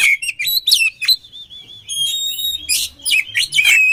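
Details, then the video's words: Oriental magpie-robin song for training birds: a loud, continuous varied medley of rich whistles, sharp sweeping notes and harsh scratchy phrases, with a long steady whistled tone in the middle. "SUARA KACER KOMBINASI AMPUH UNTUK MELATIH MENTAL KACER"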